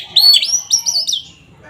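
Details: Short phrase of kacer gacor song, meant to agitate rival oriental magpie-robins: one loud whistled note rising, then a quick tumble of looping high whistles fading out within about a second.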